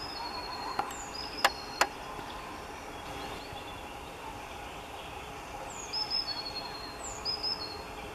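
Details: Wood warbler (Phylloscopus sibilatrix) song in Minsk on 1 May 2021: two short, high phrases, a thin downslurred whistle then a quick stuttering run of notes, after two sharp clicks over faint background hiss.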